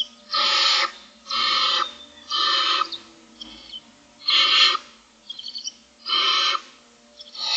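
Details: Six Barn Owl chicks begging for food on the morning of day 25 keep up a steady series of coarse, hissing screeches, about one per second, with a few softer broken notes between.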